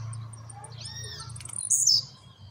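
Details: Recently acquired blue-black grassquit kept at home, finishing its moult, sings one loud, hissy, high buzz that rises then falls, preceded by a softer arched whistled call and light ticking, with a low hum behind.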